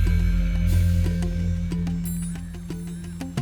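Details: Music with a steady low drone and regular percussive beats fills the passage; no animal calls are present.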